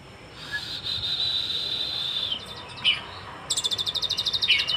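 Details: Sunbird (kolibri ninja) from Cililin singing a 'full isian' song: a high, thin sustained trill that breaks into a fast, even run of sharp repeated notes, with a few short chirps between.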